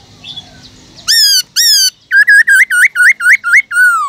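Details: Caged black-throated laughingthrush singing loudly to stimulate other birds, in a varied wild-voice style: two long rising-falling whistles, then a fast run of about nine rich looping notes ending in a long descending whistle.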